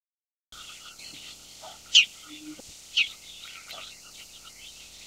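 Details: Bull-headed shrike (Lanius bucephalus) giving two sharp, harsh, high notes about a second apart over a steady faint background hiss.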